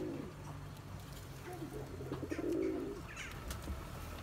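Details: Low, throaty rolling coo from a Turkish tumbler pigeon pursuing its mate to breed, swelling to a peak after two seconds and fading, with faint chirps and a background hum.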